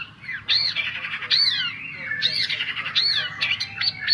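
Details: Long-tailed shrike song played as a lure for a bird that is slow to sing: harsh, scratchy squawking phrases mixed with slurred whistles rising and falling, delivered in irregular bursts.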